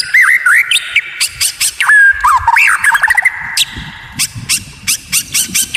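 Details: Training recording of white-rumped shama with rare, odd song that enrages opponents: looping whistles and sharp high chips, then quieter spaced clicking notes over faint low rustling.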